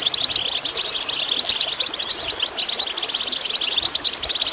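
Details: Goldfinch chirping over gurgling water, a dense, continuous twitter of quick high bright notes and short trills with no pauses.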